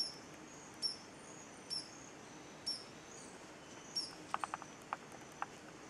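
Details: A Pirre Hummingbird (Goethalsia bella) on Cerro Pirre in the Darién, Panama, gives thin, very high chips about once a second, with a brief burst of softer, lower clicks near the end.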